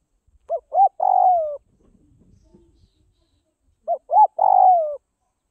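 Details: A Tây Bắc (Northwest) spotted dove, being hand-fed to tame it, coos twice about 3.4 seconds apart: each phrase has two short upslurred notes and a lengthy descending coo, with faint rustling heard in the gap.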